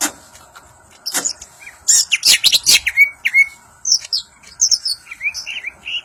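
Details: A crested Banyuwangi greater green leafbird in full ngentrok song: loud scratchy bursts, then crisp upswept whistles and a run of quick bright chirps, with a faint steady background hum.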